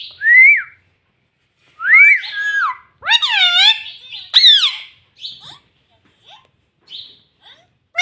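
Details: Pet green ringneck parrot talking indoors, voicing short, clear, bending notes that rise then fall, several in a burst over a few seconds, with softer clipped syllables trailing after in a quiet room.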